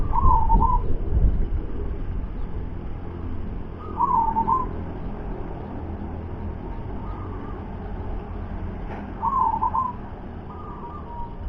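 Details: Local zebra dove, a loud caller able to carry far. Faint, distant trilled coos repeat every few seconds against steady low rumbling background noise.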